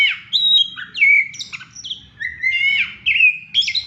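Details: Caged Oriental magpie-robin, excited and whistling as it greets its owner: loud, clear whistled phrases, each rising or falling and often ending in a quick flourish, given in rapid bursts with brief pauses between.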